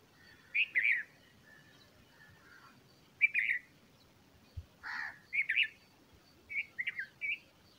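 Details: Bulbul feeding its chicks: scattered bright double chirps, a short low soft note, a single sharp tap, then a hoarse burst and quick clusters of fluttering chirps toward the end.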